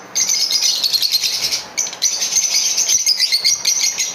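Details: Green Fischer's lovebird pair in full song: continuous high, rasping chatter and rapid twittering notes, with a short break midway before the busy chirping picks up again.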